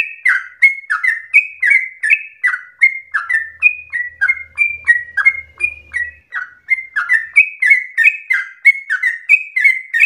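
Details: A yellow-vented bulbul chatters in a long, rapid run of liquid, down-slurred notes, used as a lure to make other bulbuls sing continuously. A soft low hum is heard briefly partway through.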